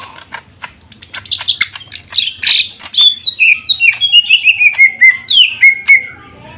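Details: Greater green leafbird, a male and female being matched together: a fast, tumbling song of chirps that begins high and steps gradually lower, with notes coming about four per second and ending in clear slurred whistles.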